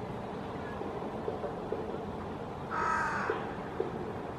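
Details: Hooded crow perched in a maple treetop in Helsinki, Finland, August 2024, calling to its friends: a single harsh, hoarse caw lasting about half a second over steady low background rumble.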